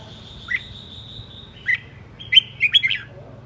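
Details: Aggressive decoy Red-whiskered bulbul whirling as it sings: isolated sharp chirps a second apart, then a quick cluster of bright, slurred whistled notes near the end, over a faint steady hum.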